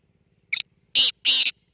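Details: Close black francolin: a brief thin note followed by two long, harsh, rasping bursts, the start of another burst cut off at the end, with a quiet background.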